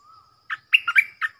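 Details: Stripe-throated bulbul decoy bird's song, played to teach young birds and attract wild bulbuls: a faint low whistle, then a loud run of bubbly, warbling notes rising and falling.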